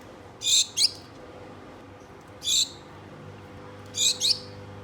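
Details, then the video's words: Two pet Gouldian finches calling to a mate: short, high, thin chirps, some in quick pairs, spaced a second or two apart over a faint low hum. "GOULDIAN FINCH BIRDS CALLING MATE"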